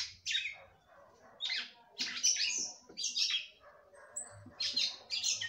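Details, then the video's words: Female red-cowled cardinal singing a great deal to stimulate the male, kept by a bird breeder: bursts of high, harsh, buzzy chattering phrases about every second, separated by short pauses, with faint low background hum. "FÊMEA DE GALO DE CAMPINA CANTANDO MUITO PRA FOGUEAR SEU CAMPINA."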